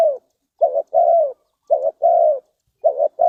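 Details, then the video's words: Spotted dove from Ninh Thuận, Vietnam, heard in a bird-luring context. Rapid rhythmic cooing, each phrase a short burry note and a longer mellow falling coo, about one phrase per second, with a clean quiet background. "Cu gáy Ninh Thuận,Cara Pikat Tekukur"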